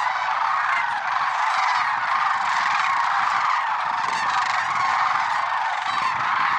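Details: Lesser sandhill cranes at Merced National Wildlife Refuge on an early February 6, 2023 morning: a dense, unbroken chorus of many overlapping rolling, honking calls from a large flock, steady in loudness throughout.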